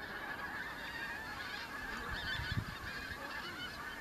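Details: Arriving autumn migrant Pink-footed geese, Kelvin Valley, North Glasgow, 25 September 2021: a steady babble of many overlapping yelping honks, with a few low thumps midway.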